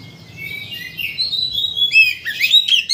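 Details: White-rumped shama singing as a provocation lure: a sustained thin whistle followed by quick bright slurred notes and sharp chirps, rising in intensity toward the end.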